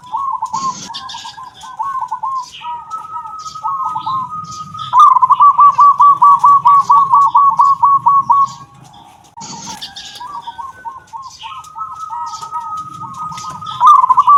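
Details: Local zebra dove with kung-type voice giving two song bouts: looping introductory notes building into rapid rolling strings of bright staccato coos, with a sharp knock between bouts and a constant faint whine underneath.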